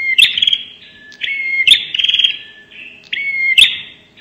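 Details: Lure call of a bar-winged prinia in prenjak nembak style: quick alternation of flat whistled notes, sharp snapping clicks and buzzy pulsed trills, in loud high bursts.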